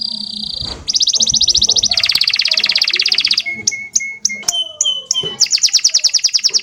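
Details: Canary singing a rolling song: a long, loud, rapid trill of high notes, then separate sharp clicks with thin whistled tones, ending in another fast rolling trill.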